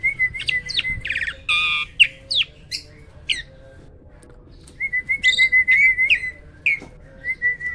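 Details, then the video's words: A hybrid myna sings loudly, mixing harsh buzzy notes with short sharp whistles, pausing, then returning with a long level whistle and a few clipped calls. "MISTERI JALAK HYBIRD ‼️ SUARA KERAS KICAU LANTANG ‼️"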